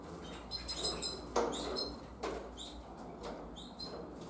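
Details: Harlequin canary fledglings, twenty days old, leaving the nest, utter a run of rapid thin chirps and brief rising peeps, some sharp clicks and rustling among them.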